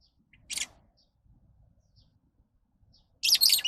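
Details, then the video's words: Lovebird calling with a harsh, high screech, then faint soft ticks, ending in a loud sustained burst of rapid raspy chattering screeches. "Love birds Sounds"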